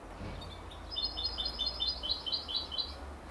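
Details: A 33-day-old canary x European goldfinch hybrid chick chattering in a rapid run of bright, high-pitched tweets lasting about two seconds, with a low hum underneath.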